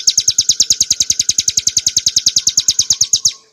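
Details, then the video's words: Bar-winged prinia, subspecies montana, in a 'ngebren nembak' song for cage-bird training: a quick series of about twenty-eight shrill, clipped notes in three seconds, ending abruptly. "kicauan burung ciblek gurun untuk masteran & pancingan - suara jernih ngebren nembak"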